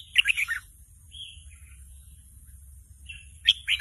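A young red-whiskered bulbul gives short, bright warbled phrases, fragmented and not yet a full song, with soft scattered notes between and a low background hum.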